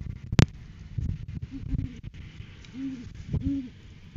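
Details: A pair of great horned owls on a farm live cam on 7 January 2023, in courting season, as the male brings a food gift to the female: soft, low, muffled hoots in a short run, a sharp thump and rustling.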